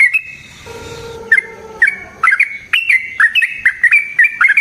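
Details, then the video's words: Sooty-headed bulbul singing a rapid song meant to lure and train other bulbuls: a steady held tone at first, then short bright slurred notes repeated about twice a second, each a quick upward-then-downward flick. "Burung TRUCUKAN GACOR Ropel Panjang Cocok untuk PANCINGAN Trucuk bahan dan MASTERAN Burung Trucukan"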